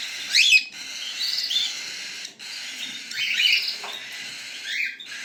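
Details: Young cockatiels make loud, grating, upswept begging calls in repeated bursts of about a second, separated by brief pauses.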